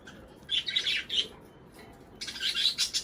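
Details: Budgerigar breeding song: two short bursts of high, gravelly warbling separated by a soft pause.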